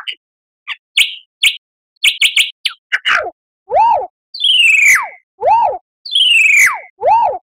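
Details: Lyrebird song meant as a master for caged birds to imitate: brief scattered chips, then loud arched whistles alternating with long descending slurred whistles, repeated roughly every second.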